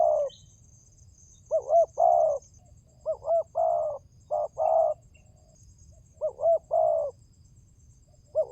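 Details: Spotted dove calls used as pancingan, a lure to get birds calling: repeated phrases of two short rising coos and a longer level croon, about five in quick series, over a low constant rumble.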